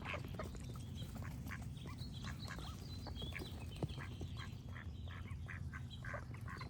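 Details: Duck quacking with birds singing; short nasal quacks come in loose bursts through the second half, over a steady low rumble and thin high bird whistles.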